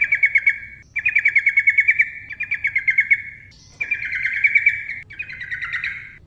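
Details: Lively yellow-vented bulbul in long ropel song, used as a lure for silent birds: trilled phrases of rapid, evenly pulsed chirps, about one second each, repeated five times with short breaks.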